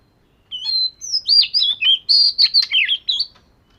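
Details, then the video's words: Oriental magpie-robin, fish-scale type, sings during daily voice training, pouring out a lively string of whistled phrases, buzzy slurs and crisp chips, about ten notes in quick succession. "Chòe Than Vẩy Cá Hót Giọng Siêu Hay-Luyện Giọng Chòe Than Hót Hay Mỗi Ngày-Suara Burung Kacer Gacor"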